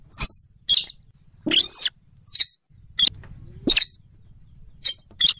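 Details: Slaty-breasted rail, a swamp-dwelling rail, used as a trapping lure: hard ticking clicks spaced about half a second to a second apart and one drawn-out arched squeal, over a low humming background.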